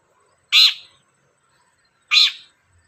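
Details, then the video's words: Long-tailed shrike (cendet) used as a lure for singing: a pair of loud, buzzy, rasping screeches about a second and a half apart, with nothing else audible between them. "SUARA BURUNG CENDET GACOR, PANCINGAN CENDET BAHAN AGAR CEPAT GACOR"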